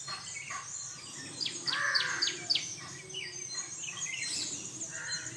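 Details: A flock of jungle babblers while grooming gives squeaky, chattering notes, with a quick run of four sharp downslurred calls in the middle, over a steady high insect hiss.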